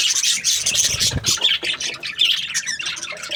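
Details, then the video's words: Happy budgerigar breeding pairs give nonstop bright chirping, a busy mix of squeaky notes and harsh little squawks overlapping from several birds, with a soft low knock near the middle. "Happy budgie chirping sounds | breeding pairs"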